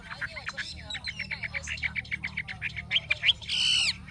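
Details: Old wild-caught Chinese hwamei, caged, singing in the true forest-voice style: a quick run of varied short whistled and slurred notes, ending in a harsher buzzy burst, with faint low rumble behind.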